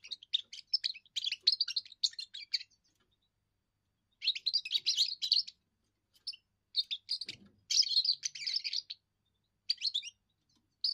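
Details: Young European goldfinch giving its first song, used to declare territory and attract females: bursts of rapid, tinkling high twitters, about two to three seconds each, separated by short pauses, with one soft low thump.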